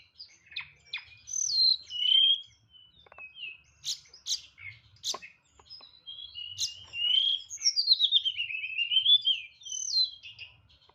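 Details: White-rumped shama singing nyeklek style with strong volume: soft whistles and sharp snapping clicks, then a long wavering whistled phrase descending in steps, faint low hum behind.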